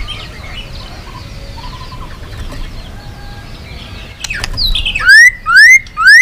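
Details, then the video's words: White-rumped shama long song used for training and provoking rival shamas: after quiet background chirps from other birds, three loud, clear whistled notes sweep upward, spaced about half a second apart. "Luyện giọng dây dài cho lửa.chòe lửa đập tạch kéo dây hay. ép giọng kích lửa hiệu quả"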